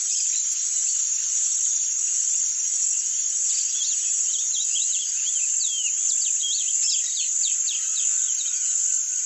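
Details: A Rusty-collared Seedeater (Sporophila collaris) sings its grego-type song, a quick run of sharp, twisting, mid-to-high notes, over a loud, steady, high insect drone.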